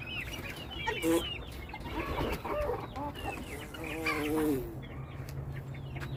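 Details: Flock of chickens with mixed chirps and clucks, one wavering drawn-out call around the middle, quieter toward the end.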